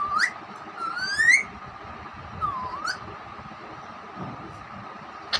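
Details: Pet Alexandrine parakeet (raw parrot), a mimic of hen sounds and speech. It gives thin, clear whistles: a short rising note, a longer slow upslurred whistle, then a dipping, rising whistle, with quiet gaps between.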